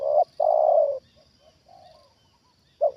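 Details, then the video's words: Trained spotted dove calling in response to a wild bird: a loud, broad coo ends a phrase, followed by soft, faint coos and then the quick start of a new loud phrase. "Inilah Reaksi Tekukur Ajaran Di Turunin Burung Liar Untuk Kedua Kalinya"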